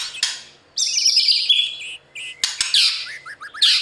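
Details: White-rumped shama singing a training song for competition: bursts of high, rich whistled and buzzy phrases separated by short pauses, with a long sustained note near the middle and sharp clicks between phrases.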